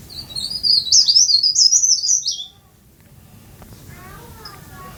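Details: Leaf warbler, tame and actively singing, gives a fast high twittering phrase of about a second and a half of jumbled thin notes, then falls silent; faint softer notes follow.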